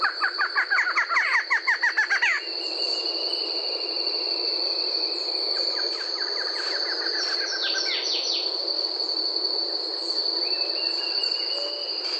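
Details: Barred Antshrike, Brazil: a quick series of nasal notes with strong overtones that speeds up over about two seconds, then stops. A steady high insect drone runs throughout, with scattered notes from other birds afterward.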